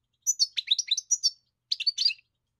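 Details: European goldfinch delivering a quick, liquid twittering phrase of high chirps, a short pause, then a second brief twitter.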